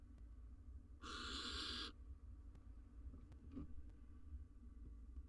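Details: Incubating wild female barn owl at the nest, recorded by a nest cam; a single harsh broadband screech lasting under a second, followed by quiet with a faint click and steady low background hum.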